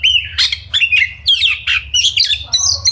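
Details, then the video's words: Oriental magpie-robin, a kacer singing fast and dense to provoke other birds into fighting mood: rapid run of harsh squawky notes mixed with sliding whistles and bright buzzy phrases, packed tightly with almost no pauses, low hum beneath. "Pancingan Kacer Gacor Ngobra Speed Rapat! Efektif Buat Kacer Agar Emosi tarung Bongkar Isian"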